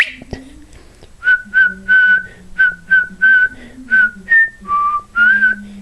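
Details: Jingle Bells sung by a pet cockatiel: a whistled tune of about ten clear, evenly spaced notes, mostly on one pitch, with a brief step up and a dip near the end, over a low murmur of human speech.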